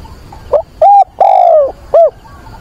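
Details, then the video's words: Decoy dove kept in a cage, calling for a mate during wind and rain on 24 September, giving one four-note phrase: a brief soft lead-in, a level hollow coo, a long slurred falling coo, then a short clipped final note. "Chim cu mồi gáy gọi tìm bạn"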